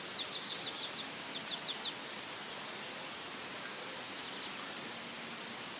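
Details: A White-barred piculet in Serro, Minas Gerais, Brazil, gives a quick run of about ten thin, very high, slightly falling notes over a steady shrill insect drone.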